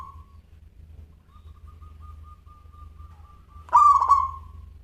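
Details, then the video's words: Local zebra dove in full song with a crystal-clear voice. A faint steady thin tone runs for a few seconds before one loud stuttering coo with a trilled middle and a drawn-out fading end. "Perkutut Lokal Gacor Suara Kristal"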